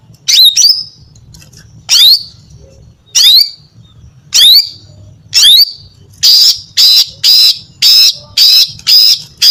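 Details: Falling whistled calls spaced about a second apart give way to a fast series of harsh buzzy notes as a female greater green leafbird sings to entice males.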